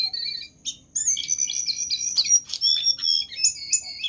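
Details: Lively Jongkangan singing used to make other birds sing more: a short twitter, a brief pause, then a continuous run of high whistled notes and warbling trills stepping up and down in pitch.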